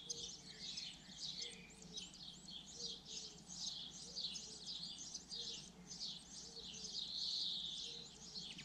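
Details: Common linnet song: a long, unbroken, rapid stream of high twittering notes, buzzy trills and quick slurred chirps, rising slightly in intensity toward the end, over a soft low hum and faint low tones.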